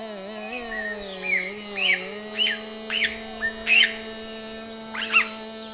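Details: A bulbul, presented as the source of the musical note "ma", gives bright, chirpy notes in about seven short bursts over six seconds, over a steady droning musical accompaniment.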